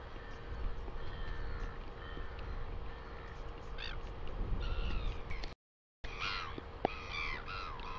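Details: Northern royal albatross in New Zealand, recorded 12 August 2020: a run of harsh, harmonic calls that bend upward and fall away, with a brief cutout mid-way. Louder falling cries follow it, all over a strong steady low rumble.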